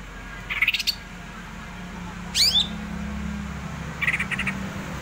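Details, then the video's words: Greater green leafbird (cucak ijo) in a lively ngerol rolling song: three separated bursts of rapid, bright chirps and a quick rising-falling swept note, over a steady low hum. "cucak ijo ngerol ngamuk"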